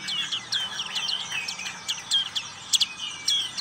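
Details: Ngriwik-style song of a black-capped white-eye: thin, high chirps and rapid down-slurred twitters strung together, with a few sharper, louder notes near the end.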